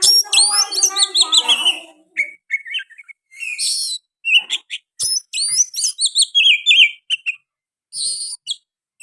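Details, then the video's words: Oriental magpie-robin, singing hard with sooty-headed bulbul phrases mixed in, pours out dense, rapid warbles and twittering trills, then scratchy chips and clustered whistled flourishes in quick irregular bursts. "KICAUAN KACER GACOR MBESET ISIAN KUTILANG"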